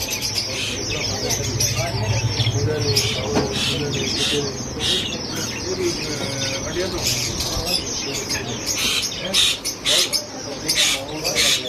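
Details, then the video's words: Baby chicks chirping in a busy group, with rapid overlapping high peeps and scattered sharper cheeps; near the end the chorus thins into separate louder bursts. A low hum sits underneath. "Chicks Chirping"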